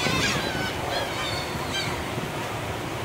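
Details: A large flock of Black-tailed gulls over a ferry deck off Sado, Japan, on July 18, 2024 gives a few nasal, mewing calls, partly drowned by steady wind and engine rumble.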